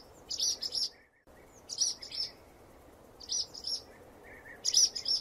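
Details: Swallow song of repeated groups of three shrill high chirps about every second and a half, with a faint lower buzzy undertone and a brief silent gap.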